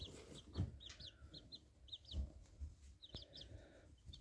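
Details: A house sparrow chick about 13 days old, in a dark nest, gives thin, high chirps in quick little bursts, several per second, over a low rumble and occasional thumps.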